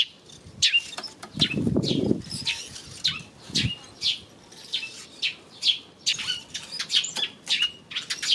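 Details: Eurasian tree sparrows on 28 May chirping steadily in quick high notes, a low rumbling flutter or rustle early on, then continuous chatter to the end.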